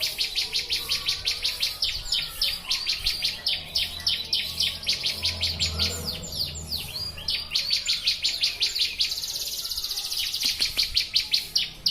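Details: Bar-winged prinia song on a master recording for training birds: a long, fast run of high, thin chirps, about three per second, delivered almost without pause, over faint low background hum.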